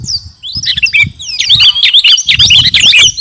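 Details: Garuda-type sooty-headed bulbul in full song: a short pause, then a rapid tumble of bright, overlapping chirps and down-slurred whistles, against a soft low background hum.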